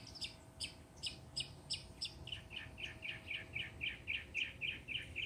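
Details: Mockingbird sings a rapid run of bright, ringing high notes, then switches to a brisk series of shorter, lower chips repeated several times a second, with a faint steady hum beneath.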